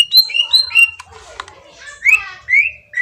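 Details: Green leafbird song played as a lure to provoke a reply: short whistled slurs repeated in a pair, a scratchy chattering pause, then rising and falling whistled phrases.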